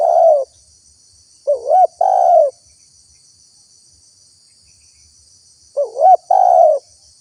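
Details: Spotted dove calling as bait to lure wild doves: mellow two-part coos, a rising wavy note then a sustained hoarse coo, three phrases with a long gap, faint high hiss behind.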